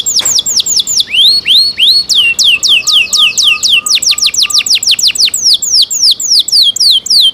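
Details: Canary delivering rapid repeated falling whistles, several slower rising sweeps, then quick chopped notes with a soft low piping sequence briefly beneath, ending in dense fast downward-sweeping phrases.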